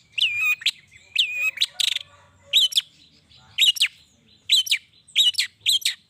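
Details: Long-tailed shrike singing to stir other shrikes into replying, repeated clear up-down whistled notes in tight pairs, each followed by sharp clicks, about twice a second, over a low hum.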